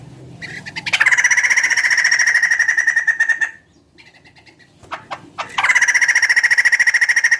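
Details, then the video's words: Large-bodied bird said to sound like a chicken, pouring out a loud, rapid pulsed trill for about two and a half seconds, then short scratchy notes, then another long fast trill. "Suara burung gacor"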